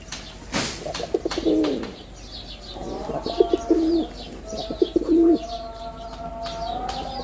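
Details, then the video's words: Male wild pigeon with red border coos in short gurgling bursts three times, after an opening sharp knock; a steady tonal whine and faint twittering of small birds continue behind. "লাল বডার বুনো কবুতরের অসাধারণ ডাক"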